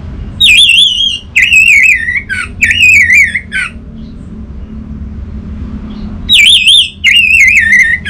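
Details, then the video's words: Orange-headed thrush singing loud wavering whistled phrases, each trilled and looping up and down, in four bursts, a quiet gap, then two more; sung as lure audio to prompt silent birds to sing. Faint low hum underneath. "Siapa Sangka Burung ANIS MERAH Macetan Terpancing Gacor Didengarkan Kicauan Ini"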